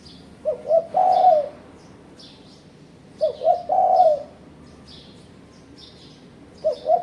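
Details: Spotted dove, played as a lure to provoke rivals when trapping birds, gives a low three-part coo, two short notes and one long. It repeats about every three seconds, while other birds chirp softly and high in the background.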